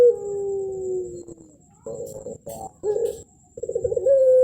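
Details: Contest-champion puter pelung ringneck dove in thick-ended melung style: a fading, lowering long coo, then several short stuttering coo bursts, ending as another steady long note begins.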